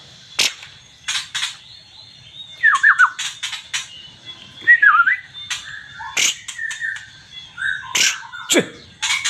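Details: White-rumped shama from Aceh in energetic song: loud whistled notes swooping and twisting at mid-high pitch, with sharp clicks and rasping bursts between phrases, quiet background.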